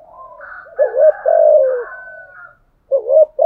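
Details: Decoy Spotted dove cooing: a soft, drawn-out, breathy coo sequence with a longer falling note, followed by the start of another short coo phrase. Nothing else is heard.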